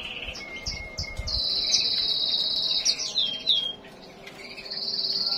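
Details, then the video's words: White-eye in breeding condition giving short twittering notes, then a long high whistled trill and further warbling phrases, with a brief pause before a final sustained high run; low thumps and background noise beneath. "pleci birahi"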